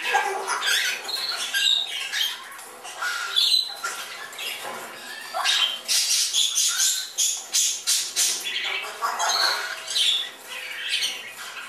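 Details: Fledgling Congo and Timneh grey parrots flying at a bird shop north of Dallas, Texas, give harsh, raspy squawks in quick overlapping bursts, roughly one a second and louder toward the middle, with shrill chatter between them.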